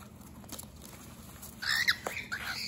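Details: A cockatiel guards its base against a human intruder. After soft taps, it gives a couple of short, abrupt squawks with rough, sliding tones.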